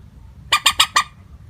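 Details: A single rapid series of four harsh, clipped kek notes from a common moorhen, a flat unvaried call used for luring birds, with faint low hum beneath.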